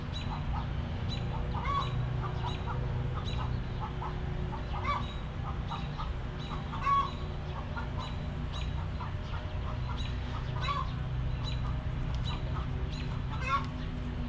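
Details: Long stretch of backyard chickens clucking in their coop: many short, evenly pitched notes from several hens in irregular bursts, occasional louder sharp clucks, all over a steady low hum.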